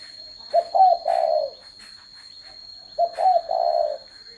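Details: Two loud, clear spotted dove phrases about two and a half seconds apart: a short note, a quick upslurred note, then a long purring coo, over a thin constant whine.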